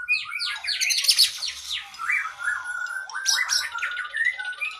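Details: Caged oriental magpie-robin (kacer) training song rich in long fill-ins: quick, squawky, jumbled phrases with sharp downslurred notes and short whistles, mixed with chattering.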